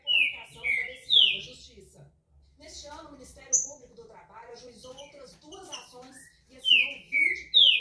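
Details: Green-winged saltator (trinca-ferro, pixarro), a strong singer, opening with three bright down-slurred whistles. A stretch of jumbled chirps and background speech follows, then the whistled phrase returns at the end.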